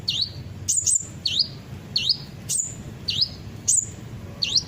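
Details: Repeated high chirps of an olive-backed sunbird, used as a lure: dipping swoop notes alternate with sharp flat chips at steady intervals, about eight notes in under five seconds, over a low hum.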